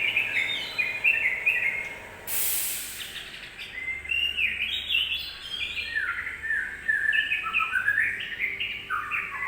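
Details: Song of a yellow-vented bulbul, used as a provoking lure for other birds: rapid warbling, gurgling phrases of clustered notes, broken by a short loud rush of noise early on, then resuming with varied bubbly runs.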